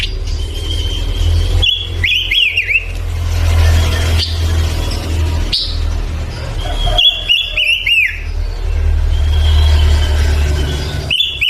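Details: Male pancawarna bird in energetic song: two clusters of clear whistled notes, each a level whistle dropping into looping slurs, separated by pauses, with a constant low hum underneath.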